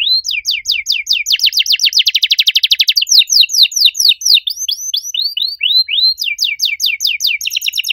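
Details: Canary in full song, loud and clear with a unique style of phrasing: repeated downslurred whistled notes, then a fast buzzy trill, then rising and falling whistled phrases, all high and clean with no other sounds.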